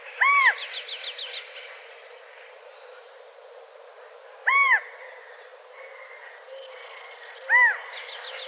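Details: California quail heard outdoors giving three loud, separate, arched call notes several seconds apart, while high buzzy trills from other birds fill the gaps.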